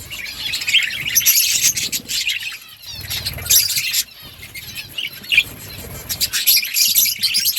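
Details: Flock of budgies in a breeding colony giving busy high chatter in waves, with soft fluttering and rustling beneath and brief quieter gaps between bursts.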